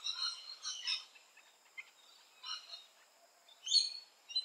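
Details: Australian rainbow lorikeet, active around nesting holes, giving harsh, grating screeches in short bursts, a cluster at the start and then single shrieks every second or so.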